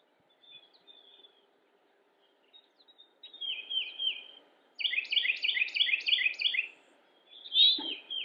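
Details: Carolina wren (Thryothorus ludovicianus) singing a loud, ringing run of about five quick repeated phrases, each a bright high note dropping into a rolling chirp, after faint soft chirps; Cabarrus County, North Carolina, USA, 27 March 2017.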